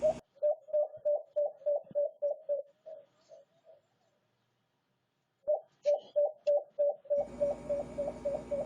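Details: White-eared brown dove giving two series of low, hollow coos at about three per second. The first series fades away, a short silence follows, then the coos resume loudly as a broad hiss comes in near the end.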